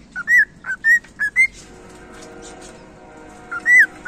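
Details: Cockatiel whistling a quick run of five pure slurred notes, then a pause filled with low electrical hum, then two more whistled notes at the end.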